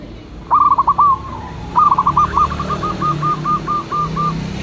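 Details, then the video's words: Local zebra dove, a perkutut, used as a lure: a short stuttered coo, then a longer rolling series of evenly spaced bubbling notes, over steady low background noise. "Perkutut lokal gacor jawara pikat dan pancingan nada suara panggilan"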